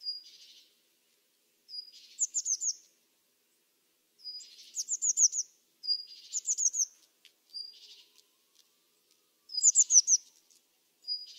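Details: A Eurasian blue tit calls in bursts: a thin high note introduces a hissing, buzzy scold, while other phrases are quick strings of four or five sharp descending notes, with gaps of up to a second and a half between them.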